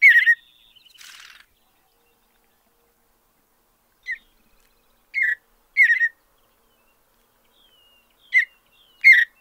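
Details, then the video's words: Mountain Bluebird in a natural setting gives scattered short chirped notes and brief warbles, with long silent gaps between them and a faint raspy note early on. "Soothing Mountain Bluebird Songs"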